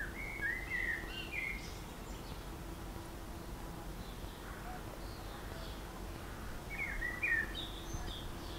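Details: A single bird in a long singing session on the Zmajčkova pot trail, Slovenske Konjice, Slovenia, delivers two short warbled phrases of twisting whistled notes about six seconds apart over steady low background rumble.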